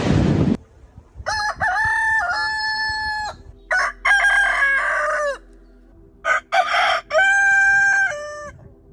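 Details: Rooster crowing: several long, loud, harmonic crows, each drawn out over one to two seconds with a wavering, stretched ending, separated by short gaps, with a brief burst of noise at the start.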